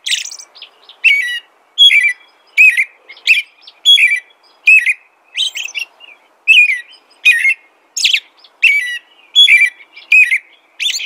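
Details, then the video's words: Steady, continuous American robin song: a long series of short caroling whistled phrases repeated about once every second, each slurred and falling, with high squeaky overtones. "American Robin Song"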